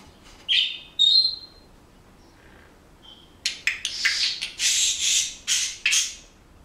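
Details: Pet Senegal parrot indoors, which also mimics household noises: two clear rising whistles, then a run of loud harsh broadband squawks and chattering bursts in quick succession.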